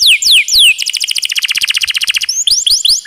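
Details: Singing canary from a training recording with added water sound: three long falling sweeps, then a dense rapid trill of about a second and a half, closing with more quick descending notes.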